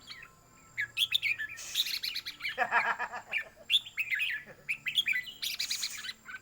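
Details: Caged red-whiskered bulbul singing, with its song phrases counted in a competition: bright, warbled, quickly slurred whistled phrases in bursts, with dense, rattly passages between and faint low background hum.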